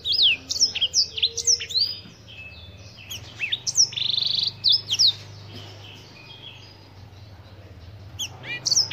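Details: Black-throated canary of African origin singing in bursts of sharp high slurred notes and a short buzzy trill, with quieter gaps and a steady low hum underneath.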